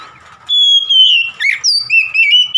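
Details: Caged oriental magpie-robin singing: a long pure whistle near steady pitch, then rising, twisting notes and a slurred upward phrase, loud and clear over a faint low hum.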